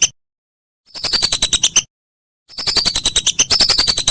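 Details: Whistling duck calling, intended as a songbird training recording: after silence, a short burst of fast high chirps, another pause, then a longer chattering run with descending whistles.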